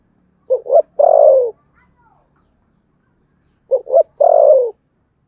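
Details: Spotted dove gives contest cooing in the Sấm Thổ style: two identical phrases, each two brief hollow hoots then an extended, softly descending coo, about three seconds apart, in near silence.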